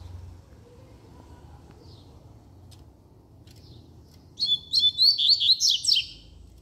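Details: Double-collared seedeater song arriving after a few soft faint chirps: a loud burst of quick whistled notes and downward-sweeping slurs lasting about two seconds.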